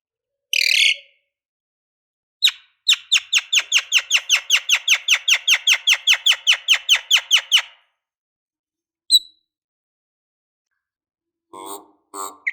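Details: Lovebird provocation sound meant to rouse rival lovebirds into calling and fighting: a single harsh note, then a long, fast chatter of about twenty buzzy notes over five seconds, followed by scattered short squeaks.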